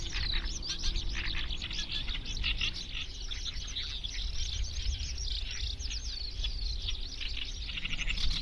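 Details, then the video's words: Eurasian skylark song: a continuous rapid stream of high chirps, trills and warbled notes pouring on without a break, over heavy low wind rumble. "Eurasian skylark song"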